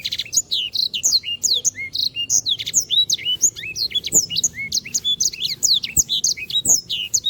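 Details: Canary in full, lively song, recorded to tutor other birds: a long, dense stream of rapid looping whistles and chirps, with occasional lower sliding notes and faint clicks underneath.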